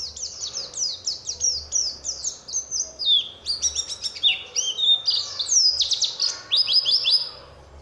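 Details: Oriental white-eye lure song aimed at making other white-eyes sing: fast descending high chips flowing into a varied, jumbled warble of twitters and sharp notes, loud and continuous.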